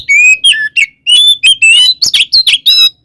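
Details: Oriental magpie-robin fighting song used to incite rival magpie-robins; a dozen or so distinct whistled notes, some long and level, others slurred, ending in harsher burry calls.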